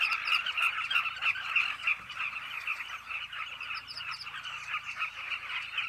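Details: Carmine bee-eaters at a cliff nesting colony, many birds calling at once: a dense, continuous chorus of short, rolling, mid-pitched notes overlapping rapidly, with brief higher chirps above and no other clear sounds.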